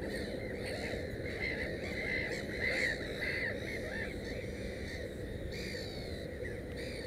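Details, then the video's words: Nesting black-headed gull with three chicks: a run of short, grating, nasal calls peaking in loudness mid-way, then tapering into scattered softer calls against low, steady background noise. "Озерная чайка"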